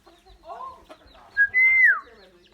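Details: Common myna, a bird able to learn human voices, making varied sounds: soft nasal chatter, then a short bright note and a long, loud, clear whistle that holds level before sliding down.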